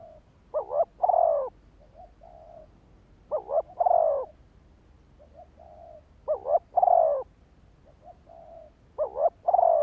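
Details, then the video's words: Decoy spotted dove calling to provoke wild males into responding. It repeats a pattern of a quavering double note and a longer mellow coo, followed by soft quiet notes, four times at roughly three-second intervals. "Tiếng chim cu gáy kích bổi"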